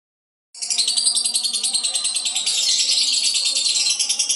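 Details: Albino lovebird, a singing-contest contender, delivering its long classic ngekek trill: a harsh, rapidly pulsed chatter high in pitch, starting abruptly and running unbroken to the end, about three pulses per second in the loudness.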